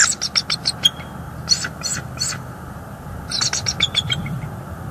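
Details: Wild bald eagle at a nest tree in the NEFL area, picked up by a live nest camera on 14 January 2023 while a pair visits the nest; high, sharp piping notes in quick runs, a short pause, then another burst, over low wind rumble.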